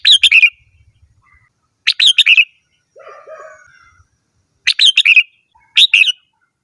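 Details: Singing red-whiskered bulbul giving short bursts of rapid, bright chirped notes, repeated four times at uneven gaps, with a quieter lower warbled phrase in the middle and faint low tapping early on.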